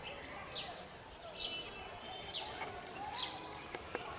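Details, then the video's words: Grey-bellied cuckoo (Chatak) in a backyard in Vidyanagar, Karad, Satara, on 13 March 2021, giving thin, high whistles that slur steeply downward, about one per second, over a steady hiss. "Chatak (Grey-bellied Cuckoo)"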